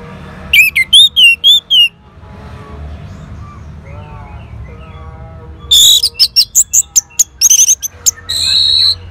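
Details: Orange-headed thrush in northern Bali responding to a lure: a quick series of loud, high, wavering whistles, a quiet pause with faint murmuring notes, then a dense run of sharp chirps.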